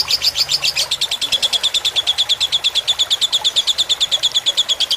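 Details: A lovebird's fighter-type song, meant as a tutor recording with water sounds: a few louder, higher chirps lead into an even, rapid string of sharp clicking notes that continues to the end.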